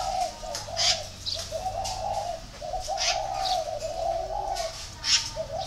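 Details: Spotted dove calling repeatedly: rounded mid-pitched coos run in a series of short and longer notes across several seconds, with bright chirps from other small birds scattered over the top.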